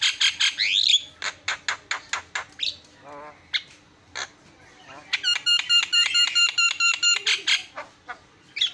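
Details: A Javan myna, used as a master song for training birds, sings a fast, jumbled medley of harsh chatters, rapid clicking bursts and ringing whistled notes, with squeaky, buzzy phrases in between.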